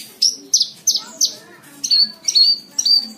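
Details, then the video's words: Horsfield's bush lark (branjangan) singing, recorded as master song for training cage birds: four quick, sharp high chirps about three a second, then three longer, slightly buzzy notes held at a steady high pitch. "MASTERAN BRANJANGAN"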